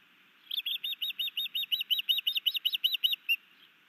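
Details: Osprey calling at a Missoula, Montana nest cam on an afternoon in May 2019, while a new male sky dances and brings his mate a fish: a steady run of about seventeen sharp, high whistled chirps, evenly paced.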